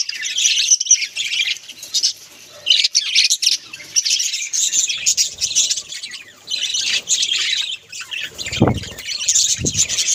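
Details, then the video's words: Home budgerigars chatter in shrill, scratchy warbles and squeaks, with pauses between bursts and two low thumps near the end. "Beautiful Bagies sounds"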